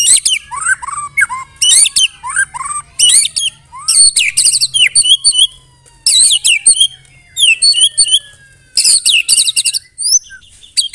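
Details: White-rumped shama mimicking canary and cililin: loud harsh high bursts with downslurred whistles, repeated in clusters every second or two, separated by brief quieter gaps.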